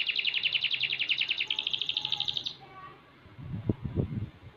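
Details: Young canary, six months old, delivers a sustained fast trill of high pulsed notes for over two seconds; afterwards, low dull knocks are heard.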